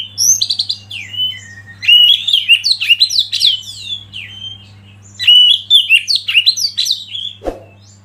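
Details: Oriental magpie-robin singing for songbird training, a rich run of whistled and rapidly warbled phrases, some rising and falling sweeps, broken by a few short gaps, with a single sharp click near the end and a faint low hum.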